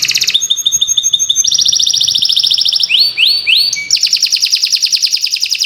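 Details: Canary (Kenari) training song of rapid, metallic, buzzy trills, a few rising slurred notes near the middle, then a dense, high-pitched rolling trill.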